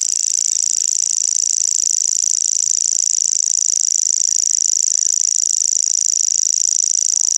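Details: Common grasshopper warbler (Locustella naevia) reeling song without a break: a high, dry, insect-like trill held steady throughout, like a fishing reel spinning. No other sounds stand out.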